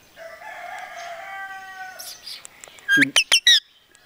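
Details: Talking parrot that mimics Punjabi sentences: a long, steady tonal phrase with layered pitches, then a few loud, sharp chattering notes.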